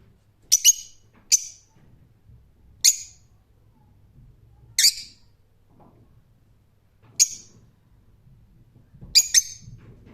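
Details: Rose-ringed parakeet calling with isolated shrill, harsh screeches separated by pauses of one to two seconds, some notes doubled, over faint low background noise.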